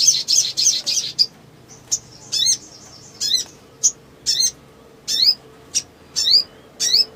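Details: Excited black sunbird (sogon) in ngleper display, sung as a lure recording for birds that have stopped singing. Quick high chips open, followed by separate sharp sweeping zip notes about every half second.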